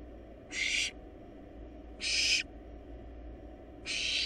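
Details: Three rough hissing screams from wild barn owl chicks devouring a large rabbit in their nest box, about one and a half seconds apart, over a constant low hum.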